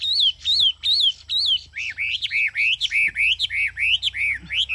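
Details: Captive Chinese hwamei (Garrulax canorus) singing in hot weather, beak open while singing, loud, clear whistled phrases, arched slurred notes repeated about twice a second, shifting from higher notes to lower, richer ones.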